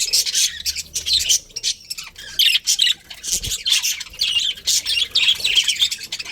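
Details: ['Budgerigars in a colony trade rapid high squawks and tweets in uneven bursts, with a faint low hum near the start.']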